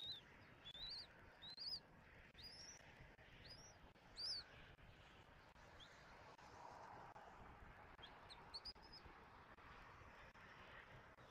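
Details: Adult male bald eagle at a Southwest Florida nest, calling after feeding its chick before the female arrives for a nest changeover; high, thin whistled notes in short bursts over steady background hiss.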